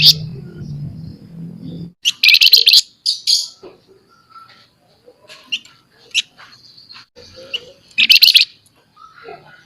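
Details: Lively scaly-breasted munia chattering in 'nyerecet' style for tutoring and prompting other birds: loud buzzy rattles at two and eight seconds with scratchy notes and chips between, a low hum at the start.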